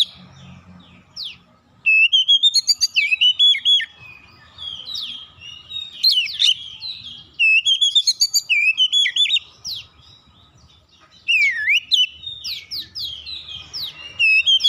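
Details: Magpie-robin song serving as a lure to make other birds respond: energetic bursts of varied whistles, sharp chips and swooping notes, delivered in dense phrases separated by short pauses, loud and high-pitched throughout.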